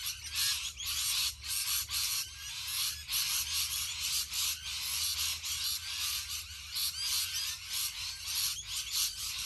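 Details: Rainbow lorikeets calling in a huge flock, a relentless high-pitched screeching chorus pulsing in irregular bursts roughly every second or two, many birds shrieking over one another.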